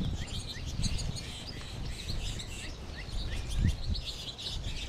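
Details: American goldfinch flock in March, birds calling from the trees above: scattered short high chirps and twitters at irregular intervals, set over a steady low rumbling background noise.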